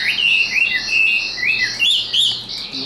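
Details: Chinese hwamei, a tame hand-carried cage bird noted for high singing and fighting spirit. It gives clear whistled phrases: long level notes interrupted by short rising and falling slurs, delivered at a relaxed pace.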